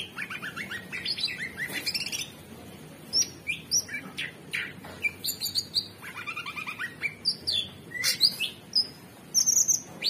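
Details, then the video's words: A varied, continuous cucak cungkok (Orange-bellied Leafbird) song: descending stepped whistle runs, sharp high chips, squeaky upslurs and a short high trill near the end, with few pauses. "Cucak Cungkok Super gacor"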